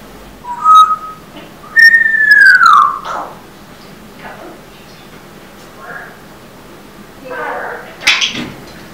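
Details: Pet African grey parrot indoors singing the start of a little song, Rock-a-bye-birdie: a clear high whistled note, a long loud downward-sliding whistle, then softer mumbled speech-like syllables.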